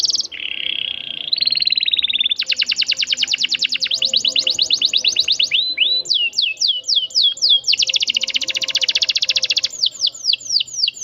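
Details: Canary singing a long rolling song meant as a model for young birds: a high whistled note, then a sustained buzzy roll, rapid repeated notes, and a steep falling sweep repeated several times before another dense trill.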